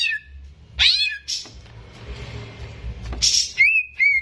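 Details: Greater green leafbird kept as a contest bird, recorded as training material for young birds: sharp high downslurred notes, a pause with faint hum, then steady whistled tones near the end.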